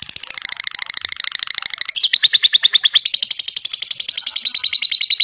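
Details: Long lovebird ngekek meant to draw other lovebirds into song: a rapid, harsh, high trill that jumps louder and higher after two seconds and continues as an even, machine-gun-like chatter.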